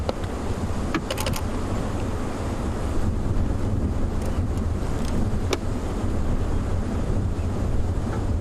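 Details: Loud wind buffeting the microphone over a vehicle drone during an evening safari drive, broken by a few sharp clicks and knocks.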